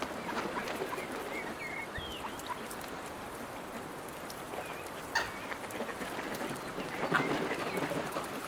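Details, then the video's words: Several gulls fiercely compete over food offered to them by a person, giving harsh, squabbling calls and short mewing notes in an irregular jumble over steady background noise. "Seagulls fighting over food, Seagulls calling"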